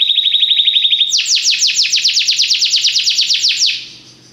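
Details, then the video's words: Belgian canary training song: a rapid trill, then around twenty evenly paced downward-swept notes in a loud series, the phrase ending and fading to quiet. "canário belga cantando mais espectacular! treinamento canario belga"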